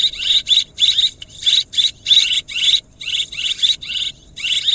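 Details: Swiftlet sounds, loud and close: quick clusters of raspy, trilling chirps with bright whistled notes, bursts tumbling one after another with brief gaps.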